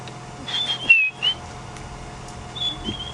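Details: A White-browed Scrub Robin gives its last call of the night at sunset in an African reserve with zebras nearby: short, clear high whistles, a sliding pair of notes followed by a brief repeat after a pause, over quiet background hum.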